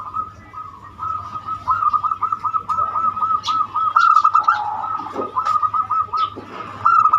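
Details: Zebra dove with the banyumili song style, used as a lure to set other doves singing; a dense run of rapid cooing notes flows almost without pause over a steady humming background.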